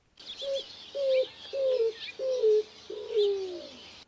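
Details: Greater Roadrunner in an Arizona desert backyard in spring gives five low, dove-like coos, one about every 0.7 seconds, each sliding downward, the last ones longer and lower; faint high chirps from other birds behind.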